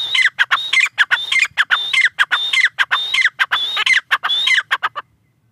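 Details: Partridge (tetar) in Pakistan giving an insistent string of about eight repeated phrases, high whistle then falling slurred notes with clipped clucks, stopping near the end.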